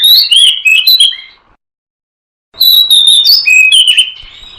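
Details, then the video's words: Magpie-robin lure song for catching birds: a rapid run of varied whistled notes that twist up and down, cut off by a second of silence, then a longer, fuller phrase of sliding whistles and chips. "Suara Pikat Burung Kacer Ampuh Dijamin Langsung Nyambar"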